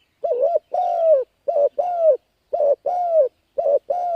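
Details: Spotted dove cooing used for luring and stimulating decoy birds: four rapid phrases of a short wavering coo and a longer, slightly falling note, repeated about once a second.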